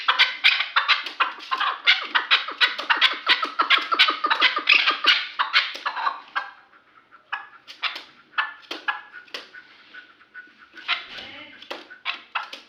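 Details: Kulob chukar partridge, three years old and kept for hunting, starting with a fast, dense chatter of harsh clucks, then dropping to sparse, spaced single calls.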